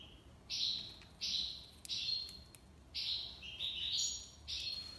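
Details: Goldfinch performing a tiwawati-style song, a run of bright buzzy twittering phrases with short gaps between them over a faint steady hiss.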